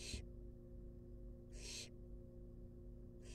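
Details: Wild barn owl chicks in a monitored nest box, begging while being fed: harsh, broad hissing screeches, each about a third of a second long, heard two to three times over a steady low hum.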